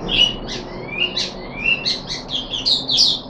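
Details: Brief phrase from a puff-backed bulbul, third day of deworming, 14 July 2021: rising slurred whistles followed by quick bright chirps.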